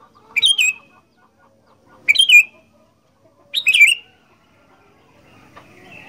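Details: Three short bubbling phrases from a sooty-headed bulbul in "gacor fighter" style, spaced about one and a half seconds apart, each a quick liquid warble, with light rustling noise behind.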